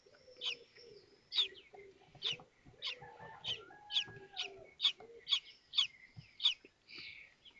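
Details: At a kestrel nest in Théding in May 2024, during feeding as a new chick hatches. There is a rapid series of piercing, clipped cheeps, roughly two per second, over a steady lower hum-like tone and light scraping.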